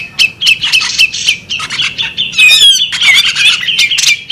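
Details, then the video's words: Female bearded magpie robin giving a dense run of chattering, squeaky notes with sharp chirps and brief rasping phrases, continuous through the clip, plus a few soft wing flutters. "the alluring sound of a female bearded magpie robin"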